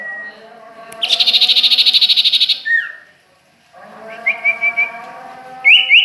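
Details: Wild bird song recorded at Ajibarang: a fast, high pulsing trill, then a downslurred note, followed by a series of short whistled upslurs and brief rising chirps.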